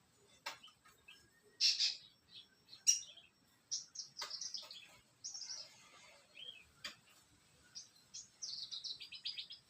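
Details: Branjangan (bushlark) singing in a songbird-hobby recording: rapid varied high chirps, short trills and buzzy notes in bursts separated by brief pauses, with sharp clicks.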